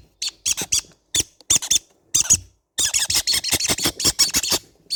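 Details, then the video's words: Baby green-cheeked conure parrots giving rapid bursts of harsh, high squeaks, scattered at first, then a dense run of quick chattering notes in the second half. "sound of baby green cheek conure parrot birds"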